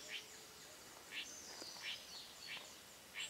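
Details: Spot-backed puffbird (Nystalus maculatus) at Boa Nova, Bahia, Brazil, giving short, high whistled notes, five in about three seconds at an uneven pace, over a steady insect hiss.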